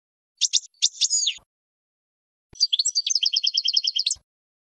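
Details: European goldfinch song for training young birds: a few sharp, buzzy notes, a pause, then a fast tinkling trill of rapid repeated notes ending abruptly.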